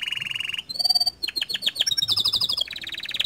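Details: Continuously singing gacor canary used to stimulate other canaries: a dense buzzy roll, a brief pure whistle, then a cascade of rapid falling notes ending in a fast high rattling trill.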